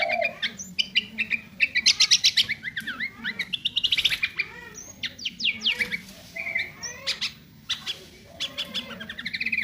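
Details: Sooty-headed bulbul in a chatty isian song: dense series of quick chirps, buzzy notes and falling whistled slurs, about four notes per second, with brief pauses; faint steady low hum behind.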